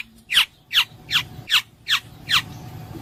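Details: Black-naped oriole giving six harsh, nasal downslurred notes evenly spaced about 0.4 seconds apart.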